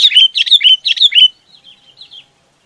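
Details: Chinese babax flock call: four loud, harsh slurred chirps in quick succession, followed by a few softer, fainter notes trailing off, in an otherwise quiet setting.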